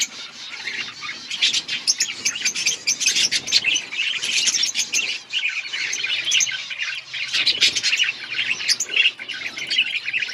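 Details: Budgerigars in an outdoor colony, a dense chorus of many overlapping chirps, warbles and short squawks, continuous and high-pitched with bursts of rapid clicks throughout.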